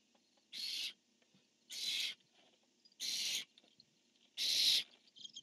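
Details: Barn owls, a male calling and a female answering, on a nest camera: four harsh, hissing screeches, each about a third of a second long, spaced roughly a second apart, with faint background hiss.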